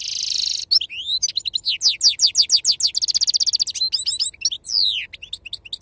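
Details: European goldfinch with authentic wild song in the Serfati style, delivering a sustained buzzy trill, then a fast run of liquid sweeping notes, a rapid rattling series and more twittering flourishes.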